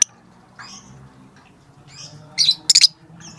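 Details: Lovebird calling its companions: faint thin chirps, then a loud cluster of sharp, high 'tik tik' notes near the end.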